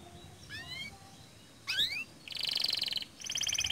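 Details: Canary singing as a lure for other canaries: faint upward-sweeping whistled notes, a louder swooping phrase, then bright rapid high trills in two bursts over a quiet background.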